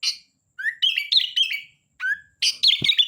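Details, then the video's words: Sooty-headed bulbul song: rising whistles leading into rapid bubbling, warbled phrases, with one soft thump near the end. "Suara Kutilang Gacor Dorr"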